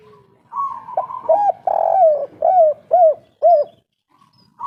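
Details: Spotted dove (derkuku), local 'kuk 3' voice: short notes rising into a long buzzy coo, then three rounded arched hoots roughly half a second apart, followed by quiet.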